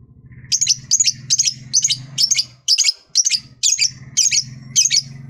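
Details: Lovebird uttering harsh, buzzy, high chirps in an uneven run of about eleven, some doubled, over a steady low hum; its voice is meant to get other lovebirds singing.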